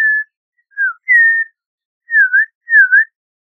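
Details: Slow, clean whistled song of an Audubon's oriole: five separated notes, short falling slurs and a longer level whistle, then two dipping V-shaped notes, each about half a second long with pauses between them.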